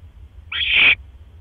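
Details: Barn owl nest at night, 12 October 2015, male bringing a mouse: one breathy, hoarse screech of roughly half a second, growing louder before cutting off, with faint low hum behind.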